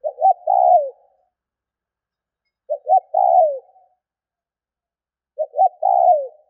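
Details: Spotted dove call used to stimulate other doves to call: three phrases about 2.7 seconds apart, each two short low coos followed by a longer, falling, hoarse croo, in otherwise quiet surroundings.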